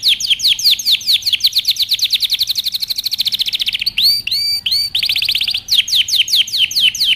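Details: A canary delivers training song made of a fast rippling trill of repeated downward chips, a short set of looping swooped notes, then a buzzy run and further rapid trills.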